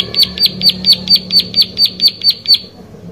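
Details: Plain prinia song: about eleven crisp, high ticking notes in quick even succession, ending abruptly before quiet background hum.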